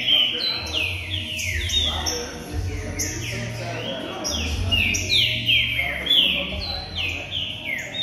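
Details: Captive green-winged saltator song, used to warm up or excite other saltators: loud, clear whistled notes slurring downward, about three each second, over a low hum.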